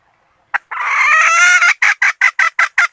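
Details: Decoy red junglefowl hen calling to draw in males: a brief clipped note, then a long, raspy, nasal cry that rises in strength, followed by six short, even cackles in quick succession, with no other sounds.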